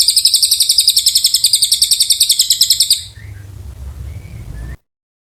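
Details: Long Oriental white-eye song meant as training material for magpie-robins: a quick, high, buzzy trill of closely repeated notes lasting about three seconds, then fading to a faint thin whistle over low background noise.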